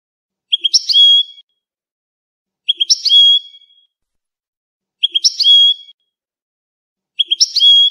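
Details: Moroccan Oued-type European goldfinch, recorded for teaching chicks to sing: short bright phrase of quick chips running into a thin level whistle, repeated about every two seconds against silence.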